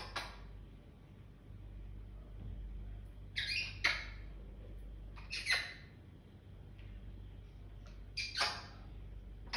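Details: Pet African grey parrot indoors in the morning, in a happy mood: short harsh squawks and clicking bursts, about five spaced over several seconds with quiet gaps between, over a steady low room hum.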